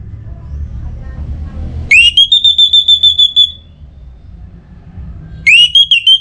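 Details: Breeding-condition orange-headed thrush kept in North Bali, provoked to call a rival, gives a long, level, pulsing high whistle after an upward sweep, then starts a second similar burst; soft low hum fills the pauses.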